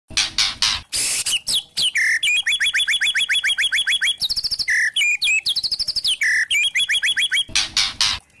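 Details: White-rumped shama (murai batu trotol), used as a lure to provoke other shamas into full song, kretekan style: fast, even runs of sharp chirps near mid-high pitch, with loud broadband rasping bursts at the start and end.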